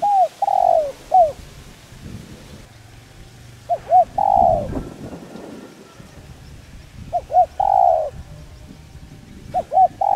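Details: Spotted dove giving its calling coo, used to stimulate and train decoy birds: mellow cooing phrases of short hooked notes and one drawn-out coo, repeated about every three and a half seconds over a low rumbling background.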